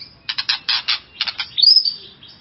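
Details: White-rumped shama song intended to excite another shama: several harsh, buzzy rattling bursts in quick succession, then a high, clear whistled slur and softer trailing notes.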